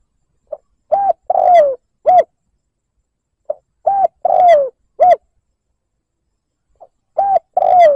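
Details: Spotted dove lure recording meant to provoke a rival bird; low mellow coos in repeated three-note phrases, a short coo, a longer sliding downward coo, then a short one, recurring about every three seconds.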